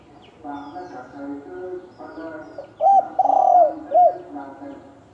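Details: Spotted dove 'thổ đồng' calls meant to provoke males into fighting: three loud, low, rounded coos near the end, the middle one long and rolling, over a steady hum and faint murmuring background.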